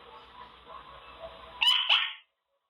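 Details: A pet Quaker parrot (monk parakeet), practising words in his cage, gives two quick, harsh, high-pitched syllables in a row, like a clipped spoken word, after a low steady background hum.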